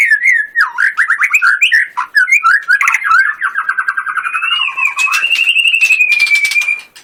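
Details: White-rumped shama in 'tembakan' song for a singing competition: quick looping whistled phrases and buzzy trills, ending in a long sustained whistle that rises slightly.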